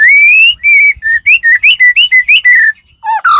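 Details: White-rumped shama, a Medan-type bird in full song used as a lure to provoke other shamas into singing: a fast series of loud clear whistled notes, rising and falling, with harmonics, ending in a sharp downslurred whistle.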